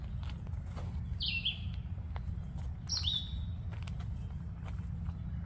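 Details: A red-eyed vireo sings at Sheldon's Marsh, Huron, Ohio, on 20 May 2024: two short, high, down-slurred phrases about two seconds apart, over a steady low rumble with a few clicks and footstep-like knocks.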